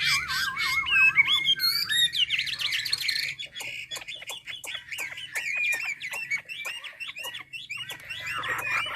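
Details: Chinese hwamei of Hà Giang opening with a warbling wavy whistle and dense jumbled phrases, then softer repeated notes among many sharp clicking taps.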